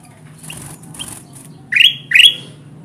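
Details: Kutilang emas bulbul calling to lure wild birds to glue traps: soft hissing rustles and two faint notes first, then two loud, sharp rising chirps in quick succession.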